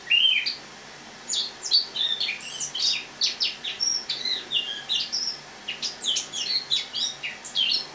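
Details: Autumn song of a caged Eurasian blackcap, brought in from a loggia to a kitchen to winter, recorded on the morning of 1 October 2017: a continuous jumble of quick, high twittering notes and short warbled phrases, fairly soft.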